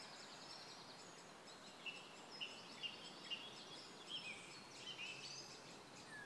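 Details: Black-necked grebe at Kala pond in Hostivice, 26 May 2016: short, high whistled notes repeated about every half second over a steady hiss of background noise, with faint calls of other birds higher up.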